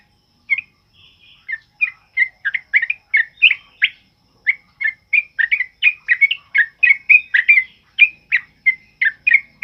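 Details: Sooty-headed bulbul singing loudly in rapid ropel style, a master song for training other birds: a fast run of short, bubbly whistled notes, repeated several times a second after a brief soft opening.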